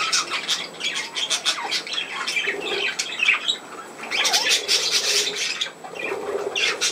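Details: Pet budgerigars kept indoors, chattering in dense bursts of scratchy warbles and harsh squawks that come and go across several seconds, with short quiet gaps between.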